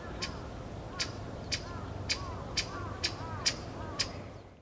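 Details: Pale thrush in the plum grove at Osaka Castle, Japan, 14 February 2015, giving crisp, clicking call notes at a steady pace of about two per second, with faint curved lower notes beneath.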